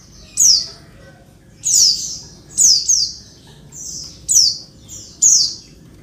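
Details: A female Oriental white-eye gives thin, high, down-slurred chirps, about one a second in short bursts, over a faint low background hum; a noisy female call used to provoke males into singing quickly, as in the wild.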